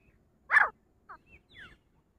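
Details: A single loud, rasping note from a female grey francolin, followed by two soft, short whistled notes in otherwise still surroundings.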